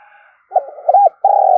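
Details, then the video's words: Spotted dove used as a lure bird to draw in wild doves, giving a broken series of short coos, then a drawn-out even coo. A faint higher tone hums in the background. "tiếng chim cu gáy mồi thúc và gáy gọi bổi"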